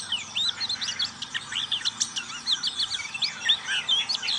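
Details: Dense ngriwik song from a black-capped white-eye: a rapid unbroken chatter of thin, high, zigzagging whistles and squeaks, sustained and lively throughout.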